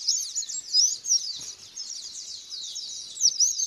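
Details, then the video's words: High, tumbling white-eye song used to make a bird respond: quick slurred whistles running together, with brighter accented notes near the start and end. "Pancingan Pleci Biar Ngalas dan Bukpar"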